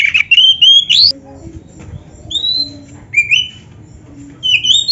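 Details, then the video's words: Oriental magpie-robin song for getting caged birds to reply: a few rising whistled phrases, a strong upslurred note, then sparse thin whistles separated by quiet gaps with faint low tones behind. "PANCINGAN KACER GACOR ISIAN"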